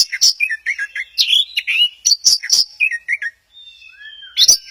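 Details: Orange-headed thrush at Kesamben singing a dense, chattering song of quick mixed notes and buzzy bursts, then a pause with a thin sustained whistle before a sharp final burst.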